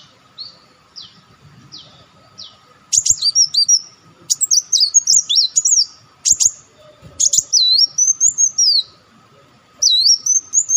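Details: Olive-backed sunbird calls played as a lure: a few soft thin notes, then rapid runs of sharp, high chirps and trills, ending in wavering swooped whistles, with a faint steady hum.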